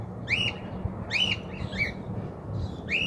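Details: A free-flying cockatiel, thought to have escaped, found on a house rooftop in a region where the species is not normally seen, 2023: bright whistled calls that rise and fall, repeated several times over steady low background noise.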